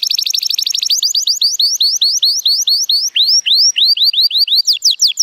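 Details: Timbrado Español canary, a male born in 2018 and rated 83 points, singing powerfully on a sunny day: a fast trill of rapid notes, then a steady run of clear, rising whistled slurs, several per second, ending in quick buzzy rolls.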